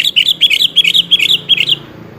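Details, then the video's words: Sooty-headed bulbul lure song, meant to coax a quiet bird into answering: a fast run of bright, bubbly two- and three-note phrases, tightly repeated for nearly two seconds, then a faint tail of background hiss. "pancingan suara burung kutilang yang jarang bunyi"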